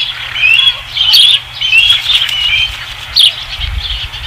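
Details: Osprey calling at the nest on a ranch, 5 August 2016; a run of high, slurred whistled chirps delivered in quick short phrases, with a soft low thump near the end.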